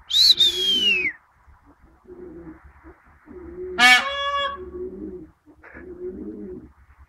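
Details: Peahen trading calls with a person: a loud shrill scream falling in pitch, low rounded sounds at a steady pace, then a sharp nasal honk with rich overtones and a brief faint note.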